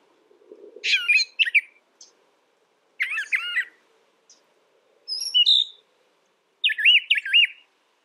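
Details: Brown thrasher song of varied short phrases spaced about two seconds apart, mixing rich chirps, high squeaky notes and looping whistles, the last phrase quickly doubled; a brief low rumble opens the recording.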